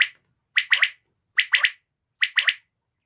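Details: Female common quail giving crisp, high triple-note calls, each burst quickly stuttered and repeated about every 0.8 seconds, with no other sounds in the background.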